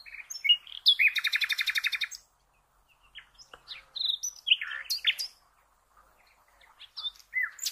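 A nightingale sings a fast, stuttering rattle of about twenty notes, then a varied run of sharp whistles and chirps, with brief silences between phrases.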